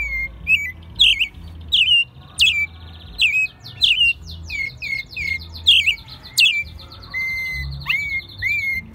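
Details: American robin kept in captivity in Mexico City since it was a chick, singing at full force in March 2020. Rapid series of short whistled, slurred notes mixed with high squeaky elements, nearly continuous over low room hum.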